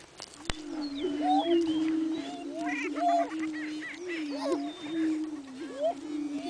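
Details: Several greater prairie chickens booming on the lek at Buena Vista Marsh in spring, 4/21/07: continuous low moaning hum with looping whoops and short cackling notes scattered over it, one sharp click near the start.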